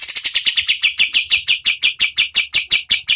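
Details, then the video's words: Oriental white-eye (kapas tembak) singing at medium speed, used as tutor and prompting audio for competition birds: a fast, steady string of sharp, high chirps, about six notes per second, continuing without a break. "KAPAS TEMBAK GACOR SPEED SEDANG Bagus sekali buat MASTERAN BURUNG LOMBA ¦ PANCINGAN KATEM"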